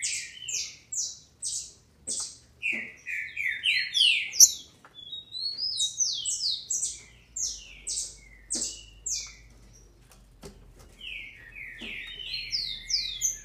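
A female green-winged saltator gives a fast, uneven stream of thin, high, down-slurred squeaks, about three a second, with brief pauses. A faint low hum runs underneath.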